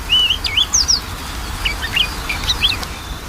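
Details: Lure recording of a magpie-robin for a lazy singer: varied whistles and sharp upward-flicking notes in quick bursts, loud and busy, over a noisy background.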